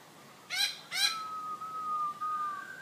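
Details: Caged black-throated laughingthrush in Hanoi, Vietnam: two harsh, rasping notes about half a second apart, followed by a long, steady, pure whistle that holds an even pitch to the end.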